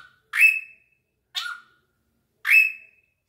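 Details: Drongo singing: three spaced notes, two loud scratchy ones stretching into high ringing whistles framing a softer note with a lower whistled tail.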